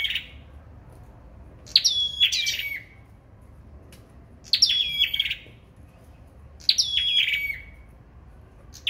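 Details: Competitive singing from a sâu đầu đỏ: three evenly spaced phrases, each a crisp high stutter settling into a held whistle and a lower closing note, plus a soft note at the start.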